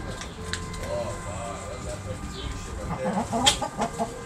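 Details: Backyard roosters and hens pecking and scratching. Short rising and falling squawks come early, then a run of quick, sharp clucks near the end, over steady background music and voices.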